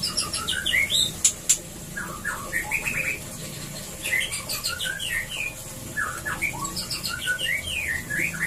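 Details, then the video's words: Captive white-rumped shama in a breeding cage, its song meant to encourage mating: a long, lively run of varied whistles and slurred notes, about four per second, with high ticking notes and faint low hum. "Perangsang ampuh Murai Batu agar Cepat Kawin di Kandang Ternak"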